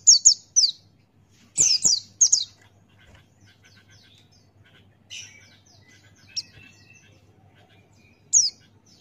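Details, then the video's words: ['Male Buxtoni-type white-eye singing in the ngalas style, open-beaked, used as a tutor recording: sharp high whistled notes sliding downward, in quick bursts of two or three, with quiet gaps between phrases.'] "Masteran Pleci Buxtoni Ngalas Buka Paruh"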